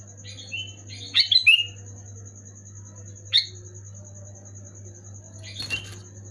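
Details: Sooty-headed bulbul song meant to set off silent or moulting bulbuls: one burst of tumbling whistled notes early, a single sharp note later and a final faint scratchy phrase, with long gaps filled by low hum and a high steady tone.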